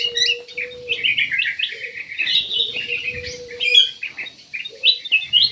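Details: Black-capped bulbul singing a lively run of short chirpy whistled phrases, rising and falling notes in quick succession, with a steady low hum underneath.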